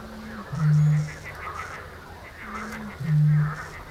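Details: Eurasian bittern booming, camera-trap recording from 7 May 2017: a soft intake note, then a deep, hollow foghorn-like boom, given twice about 2.5 seconds apart over faint background hiss.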